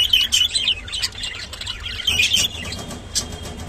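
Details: High, scratchy twittering from a rainbow budgerigar kept as a pet. Two louder bursts come at the start and just after two seconds, with quieter chirping between them.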